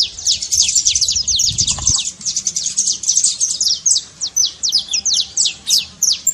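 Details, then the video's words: Saffron finch (canário-da-terra) singing a trincado, a song used to stir a quiet canary into singing: a dense, continuous run of sharp, high downslurred notes delivered rapidly, with brief gaps toward the end. "trincado pra foguea seu canário frio"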